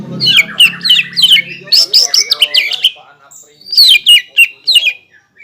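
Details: Green leafbird singing hard, used to goad opponents into song, with borrowed kingfisher, magpie robin and shama phrases; tumbling, downslurred whistles and rising warbles in rapid, varied sequence.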